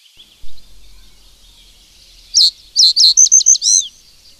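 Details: Single reed bunting phrase of loud, clipped notes, about eight in under two seconds, ending on a slurred note, after faint chips over steady background hiss.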